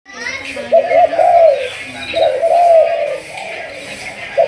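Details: Malaysian-strain spotted dove of the 'thúc gù' cooing line, being trained as a decoy bird: two drawn-out, mellow coo phrases with wavering notes, a quiet pause between, a short coo at the end, faint background murmur.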